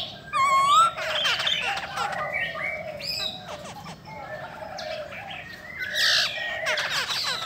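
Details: Song of a female Chinese hwamei in the style called 'bắt cô trớt cột', wings and tail displaying, said to excite males; it opens with a loud, ringing whistled phrase, then runs into varied warbles and slurred notes.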